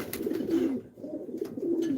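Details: Racing pigeons kept in a family loft give deep, rolling coos, two drawn-out bursts a second apart, with a short quiet gap between them in an enclosed indoor space.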